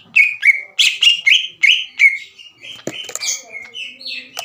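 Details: Greater green leafbird singing aggressively at a rival: a series of clipped, repeated whistled notes at a quick steady pace, followed by softer warbling and scratchy sounds.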